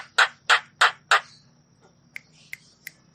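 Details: Javan myna sound meant to stimulate stressed or quiet mynas: four loud harsh squawks about a third of a second apart, then three brief sharp ticks, over a low hum.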